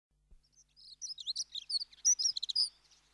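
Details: Dunnock, also called Hedge Sparrow, giving a fast warbling phrase of high, thin chirping notes, rapid and jumbled, rising and falling, about two seconds long after a faint start, on a clean quiet background.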